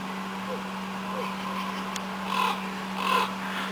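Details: Black crows perched in pine trees by a house on Afognak Island, Kodiak, Alaska, giving two hoarse caws less than a second apart near the end, under a constant electrical hum.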